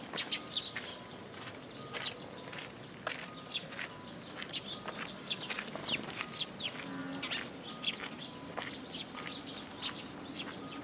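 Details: Eurasian tree sparrows gathering at a feeding spot on a post at a Tenmangu shrine, 26 June 2022; many short, high, sharp chirps scattered irregularly across the clip, overlapping one another, with a faint steady tonal hum in the background.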